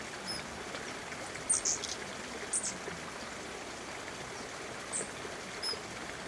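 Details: Territorial giant hummingbird (Patagona gigas), pollen on forehead and bill, at Ensifera Camp garden in the Sacred Valley of Cusco, Peru, July 2021, gives about six sharp high chips scattered irregularly over several seconds above rushing water.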